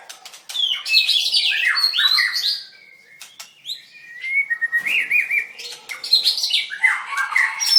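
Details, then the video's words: White-rumped shama (Copsychus malabaricus), a singing-contest winner from 7/25/16, dancing while it sings: varied loud whistled phrases with sweeping, warbling notes in two bursts separated by a short quieter gap, with sharp clicks between. "White-rumped shama dancing and singing like crazy till chirped sorethroat"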